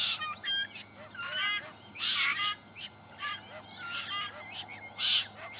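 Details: Party of White-winged choughs in South East Australia caring for their young, giving a display to a fledgling; overlapping harsh, grating and piping calls in loud bursts with softer chatter between.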